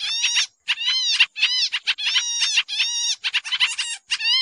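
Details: Harsh, busy chatter of a pied triller used as a lure for trapping birds: grating bursts and quick staccato notes with rising and falling harmonics, with a short pause near the start.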